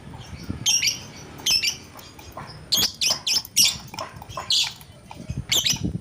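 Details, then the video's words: Lovebird calling with harsh, squawky high-pitched chirps in irregular clusters, some bursts doubled, over low background rumble. "BURUNG LOVEBRID BERKICAU | AUTO NGAMUK"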